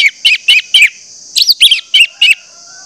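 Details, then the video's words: Orange-headed thrush song meant to spur other orange-headed thrushes into song: eight short, buzzy chirped notes in quick succession, four then four, spaced about a quarter second apart. "pancingan anis merah bikin anis merah lain cepat ngeplong"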